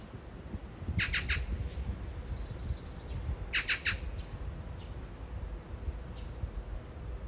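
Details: A magpie, perhaps calling to a mate a few metres away as the owner frames it, gives two bursts of harsh, rattling chatter, each a quick run of about four grating notes, over a low rumble of background noise.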